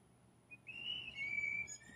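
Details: Blue jays, several taking turns competing for one female with mating calls: a clear, flute-like whistle sliding up into a sustained high note, then a second level whistle, over quiet background hiss.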